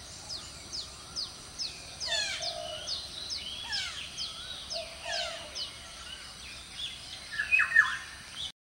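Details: A male Red-breasted parakeet at Walailak University on 18 February 2015, among harsh, screechy squawks over a busy stream of quick, high chirps from several birds, with a steady background hiss.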